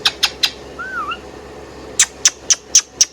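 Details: Pet Indian ringneck parakeet giving sharp, high clicking chirps, three quick ones, then a soft wavering whistle, then five evenly spaced chirps about a quarter second apart, over low room hum.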